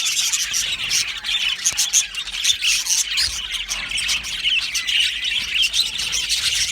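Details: Colony of Australian budgies in an aviary, chattering all at once: a dense, continuous wash of high squeaky chirps and warbles with sharp ticks scattered throughout, and no pauses.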